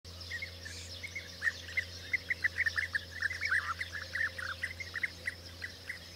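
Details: European bee-eaters at the start of the 2024 season give a steady stream of short, rolling, liquid 'prruip' notes, several birds overlapping, over a faint insect hiss and a low hum.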